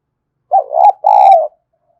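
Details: Spotted dove used as a lure bird: a single loud phrase of two throaty coos, the first short and undulating, the second longer and level with slight buzzy overtones. Nothing else is heard.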